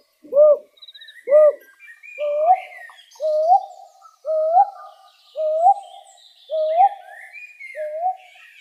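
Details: Wild owl calling: two short arched hoots, then a steady run of six longer, slightly rising hoots about once a second, over a busy background of thin chirping birds.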